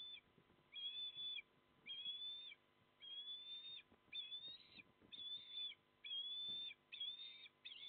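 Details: Port Lincoln, South Australia: osprey at a windy barge nest with two young chicks while the male delivers fish. Repeated piercing whistled phrases, each under a second, come in steady succession against a low wind noise.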